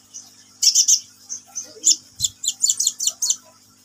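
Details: Sunbird (kolibri ninja) singing vigorously: a quick series of very high, thin chirps and twittering notes in short bursts, building into a fast run of sharp repeated notes, with faint low hum behind.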